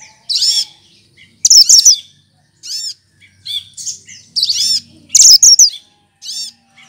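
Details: Mimicking song of a cucak kinoy leafbird, the melodious green bird kept as a tutor: arched, ringing high notes and harsh chattering bursts alternate in short phrases separated by brief pauses.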